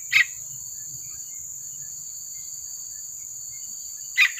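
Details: Two short, harsh calls from a Yellow-vented Bulbul chick, four seconds apart, over a steady high insect drone; recording is used as a lure to get other bulbuls to sing.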